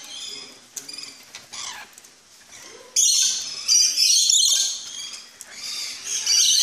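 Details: Captive rainbow lorikeets in a Dutch park aviary, stirred by the rattle of metal food trays: quieter chattering and clinks, then a loud sustained wall of shrill screeches from the flock.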